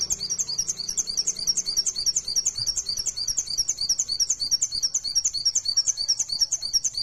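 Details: High, fast 'nembak' song of a mountain white-eye, the wild-sounding fighter style played to make other birds sing, a steady string of bright, sharp chirps at about three per second throughout.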